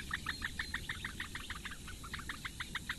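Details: Four young Eurasian bitterns begging in their reed nest at Lake Engure, Latvia, during a morning feed by the female in May 2017: crisp, evenly spaced clicking notes, about six every second, slightly uneven midway.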